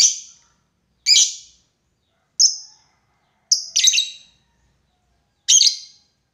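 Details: Lovebird calling a rival, used as a lure recording in the long 'ngekek' style: five harsh, shrill chirps, each sharp and fading, spaced about one to two seconds apart, one doubled, with a silent background.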